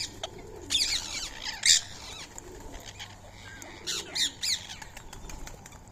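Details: Indian ringneck parakeets, free-living, visit to eat soaked rice and corn at 6:30 am on 20 March 2025. Harsh, raspy screeches come in short bursts, three early and a close pair later, over background chirping from other birds.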